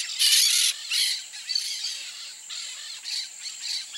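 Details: A peach-fronted parakeet gives harsh, grating screeches: a loud burst first, then shorter raspy squawks repeated irregularly at a quick pace.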